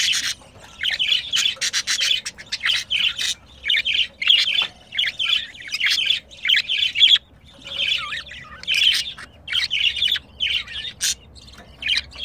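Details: Budgerigars, a pet pair filmed mating, chatter in repeated bursts of twittering, buzzy notes and squeaks, each burst lasting one to two seconds with brief silences between, steady throughout.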